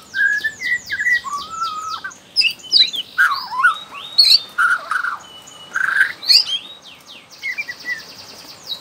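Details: Young wild Bornean white-rumped shama from the forest, whose song is used to prompt other shamas to sing: a varied run of clear whistles, slurred notes and sharp chips, with rapid repeated clicks at the start.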